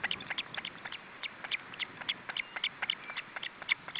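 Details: At an osprey nest during feeding in July 2012, short sharp high chirps repeat rapidly and somewhat unevenly, several per second, forming a continuous clipped chatter over faint hiss.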